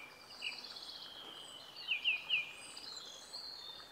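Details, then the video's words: Maragua, Sucre, Bolivia, April 2023: a Bolivian blackbird gives a faint note, then three quick sharply falling whistled notes about a quarter second apart, against a soft hiss of distant noise. "TORDO BOLIVIANO"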